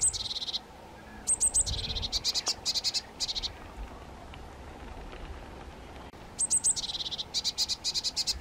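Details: White-tailed eagle, two young birds: bursts of rapid, sharp, high yelping notes repeated in quick runs, with pauses between bursts and a quiet, slightly noisy background.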